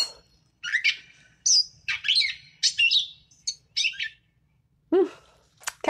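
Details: Gray catbird (Dumetella carolinensis) song: a jumbled string of short, scratchy, squeaky, varied, unrepeated phrases, including a lower harsh slurred note that imitates a Blue Jay.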